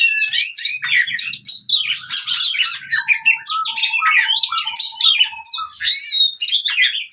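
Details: Oriental magpie-robin in fighting song, a recording for coaxing birds that have stopped singing; fast jumble of harsh chatters and high whistles, with repeated lower whistled notes in the middle.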